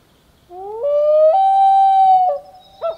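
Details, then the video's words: A common loon carrying a chick on its back gives its wail: a pure, mournful note that slides upward, holds steady for over a second, then breaks briefly before a short final rise. The background is quiet. "Loon Wailing with Chick on Back"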